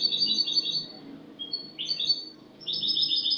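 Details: Spanish goldfinch singing a clean song, recorded on 08/22/2018: rapid bursts of bright, tinkling twittered notes in quick runs, pausing briefly between phrases, with a faint low hum underneath.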